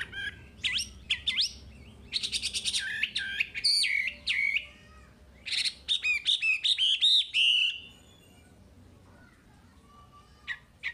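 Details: Chinese hwamei song played to train caged birds: loud, varied phrases of clear whistles, rapid repeated notes and sweeping slurs, delivered in bursts separated by short pauses, with a faint low hum underneath.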